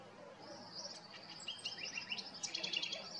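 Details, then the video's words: House wren singing in Costa Rica: high, rapid twittering notes and short bubbly trills that grow louder and busier toward the end, over a faint steady background hiss. "house wren singing"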